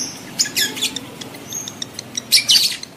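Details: Lovebirds in breeding condition giving a mating call, used to stimulate adult lovebirds to mate: shrill, harsh, high chirps in short bursts, with a fast ticking chatter between them and a louder squawky cluster near the end.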